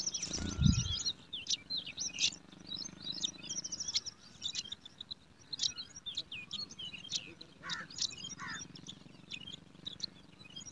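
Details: Hungry yellow sparrow chicks in a garden nest being fed, giving dense runs of thin, high chirps and short squeaky notes throughout, with a low thud near the start and a few lower chirps later.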